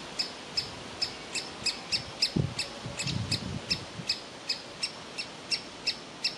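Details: Juvenile woodpecker in a tree cavity begging for food as the parents try to coax it out; brisk, clipped high notes every third of a second, with a brief low thump midway.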